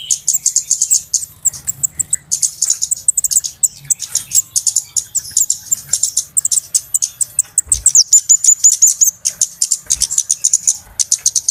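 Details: Noisy flowerpeckers in a recording meant to lure birds for trapping: long, near-continuous series of rapid, very high, thin ticks and chips, with occasional low knocks.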